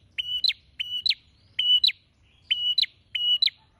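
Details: Prenjak (prinia) in energetic song, beak held wide. It repeats a level whistled note ending in an abrupt upslurred chirp, five times at an uneven, brisk rhythm over a quiet low hum.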